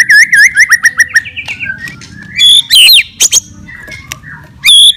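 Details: A white-rumped shama gives a provoking fighting song: a quick series of repeated chirps, then buzzy trills and loud ringing whistled phrases spaced by short pauses.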